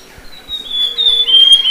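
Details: Song of the Amazonian grosbeak: a pure, high drawn-out whistle held steady and gently falling, rising in loudness toward the end, with a faint lower tone beneath.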